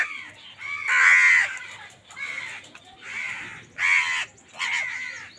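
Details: Crows fighting for food call with long, harsh, drawn-out caws, five or six rough bursts separated by brief pauses.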